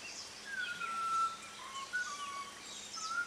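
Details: Early-morning bird whistling in Munnar, India, at five o'clock: drawn-out clear notes that slide downward and shift pitch unevenly, sounding like a person unable to hold a note, over a busy chorus of other birds.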